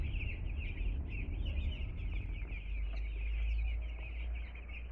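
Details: Newly arrived two-day-old chicks keep up a busy chorus of short high peeps, many birds calling at once over a continuous low background rumble.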